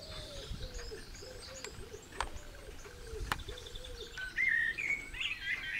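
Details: A pigeon's soft repeated coos dominate at first, with sharp clicks, before a Eurasian blackbird breaks in near the end with bright warbled, whistled phrases. A second blackbird sings somewhere in the background.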